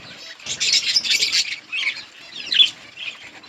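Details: Budgerigars in a colony eating green leaves; a brief loud burst of scratchy chattering warble, then softer twitters and a sharp chirp near the end.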